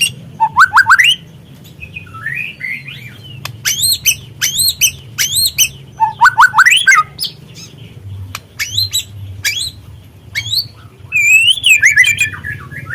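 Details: Spotted juvenile white-rumped shama song for triggering other birds to sing: bursts of ascending stepped notes, sharp chips and wavering whistles in uneven phrases, with a soft low hum throughout.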